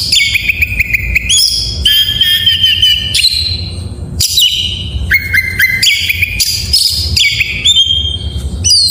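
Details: Oriental magpie-robin in full morning song, a lively sequence of clear held whistles at shifting pitches broken by quick upward sweeps and harsh chips, phrases changing every second or so; low background hum beneath.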